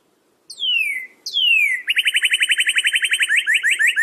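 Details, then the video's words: Song of a northern cardinal: two long whistles sliding steeply downward, followed by a quick, steady string of short repeated notes to the end. The setting is quiet. "SOUND CARDINAL NORTHERN BIRD"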